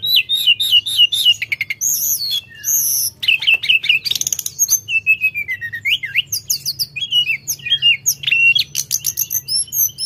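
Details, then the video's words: Lively, continuous song of a sooty-headed bulbul, mixing bright looping whistles, quick rising-falling slurs and brisk chirp series, with brief buzzy bursts and a soft background hum. "Tledekan Gunung Gacor"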